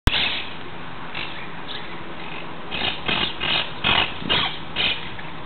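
Monk parakeet giving harsh, grating squawks in short bursts, several in quick succession over a steady low background rumble.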